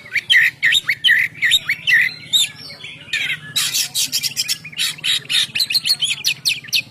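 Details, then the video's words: Kacer, the oriental magpie-robin, singing ngeplong for bird luring: quick whistled notes open, then loud raspy bursts and a rapid chattering series, over a faint low hum. "suara Kacer ngeplong"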